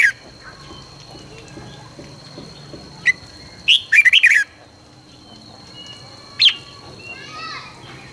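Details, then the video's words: Red-whiskered bulbul morning training song in the intense căng lửa style: a brief note, then a quick burst of rising and falling whistled notes, and a lone sharp call later, over a faint steady high tone. "luyện chào mào hót sáng 2020- Hót hay nhanh căng lửa - Cách luyện chào mào hót căng lửa"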